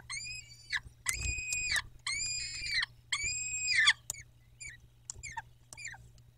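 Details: Nesting peregrine falcon, 14 May 2021 at 14:18, utters three loud level wails with a falling tail, then a run of short, sharp downward chips as the calling fades.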